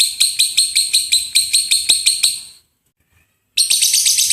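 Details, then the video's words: Lovebird rattling out the gemuruh tembakan training song: rapid buzzy pulses for two and a half seconds, a one-second silence, then the same grating chatter resuming. "LOVEBIRD SUARA GEMURUH TEMBAKAN BURUNG LOVEBIRD"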